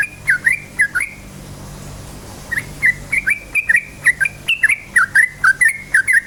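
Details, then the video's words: Yellow-vented bulbul singing in a lively, rapid 'ropel' style, used as a lure to excite other bulbuls into song: short down-slurred whistled chirps, repeated in bursts with a pause around one to two and a half seconds, plus faint high ticks and a low hum. "suara KICAU burung trucukan gacor cukcuk ropel, pancingan bagus trucuk jadikan trucukan ropel EMOSI"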